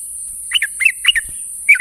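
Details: Sooty-headed bulbul calling to companions in the morning: a few short bubbly chirped notes, each a quick falling-rising slur, clustered in a brief burst over a steady high hiss.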